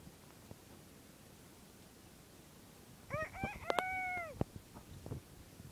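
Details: A single crow from a bantam rooster after quiet background: a few quick choppy syllables lead into a sustained, evenly held tone with rich overtones, dropping off at the close. Scattered faint knocks follow.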